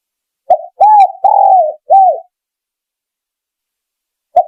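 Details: Spotted dove lure call: one phrase of a short note, an arched coo, a long coo and a falling coo, then silence and a single short note at the end.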